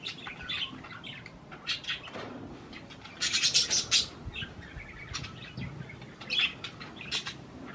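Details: Budgerigars eating cherry tomatoes give quick chirps and squeaky chatter, with a loud rapid run of harsh scratchy notes midway and sharper chirps toward the end.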